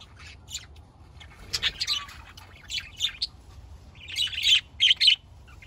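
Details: Budgerigars chirping in scratchy bursts that grow louder and denser toward the end, ending in a few sharp squeaky notes.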